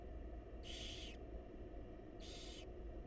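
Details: Two drawn-out, noisy hisses come from wild barn owl chicks begging as the mother feeds them in a monitored nest box. A faint low drone sits underneath.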